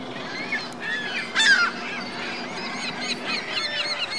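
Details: Geese and goslings at Virginia Lake in Reno: a sharp downward squeal and honk near mid-clip, surrounded by chattering peeps and overlapping calls from a group, faint low hum in the background.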